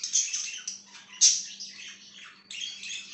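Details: Budgerigar chirping in bursts of high, scratchy, buzzy chatter with brief squawks, the sound staying high and breaking into uneven clusters with short pauses, over a faint low hum.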